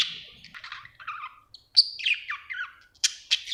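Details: Happy pet budgie chirping: a short sequence of clear warbled and slurred notes, some falling in pitch, ending in a few sharp high squeaks, in a quiet setting.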